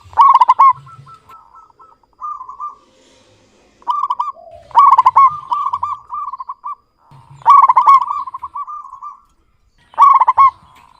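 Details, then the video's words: Local zebra dove (perkutut) singing actively in a clear voice: rapid staccato cooing phrases, each a quick stuttering burst of notes that runs into a long rolling trill, with four phrases over about eleven seconds and brief quiet gaps between them. "Perkutut lokal GACOR suara jernih BAGUS MEMIKAT."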